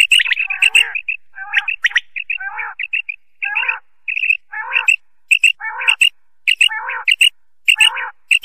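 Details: Common quail, male and female calling: a quick run of high chirps mixed with lower, harsher squawky notes, in bursts about every second or so, with no other sounds.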